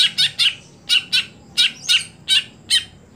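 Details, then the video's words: Greater green leafbird (cucak hijau), a caged contest bird that has stopped performing at competitions, gives about eight harsh buzzy chattering notes, mostly in pairs, in quick succession. "Ketika Cucak Hijau Sudah Tidak Jalan Gantangan"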